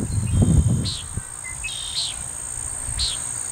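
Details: A male Common Nighthawk doing breeding dives next to a house: a low, roaring whoosh from a dive opens, followed by short nasal notes about once a second over a steady high insect drone.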